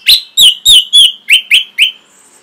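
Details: Orange-headed thrush song recorded for training caged birds: seven clear, whistled notes, each sliding downward, repeated about every third of a second, then a faint high tail.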